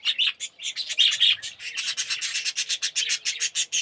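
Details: Aviary colony of yellow, red-eyed budgerigars; fast chattering warble turning into a steady train of raspy, pulsed notes, about six per second.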